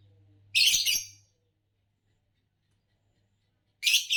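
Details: Fischer's lovebird of the green color, a type known for long songs and common among Indonesian song-competition winners, uttering a loud rasping high chirp, then silence, then another harsh chirp at the end.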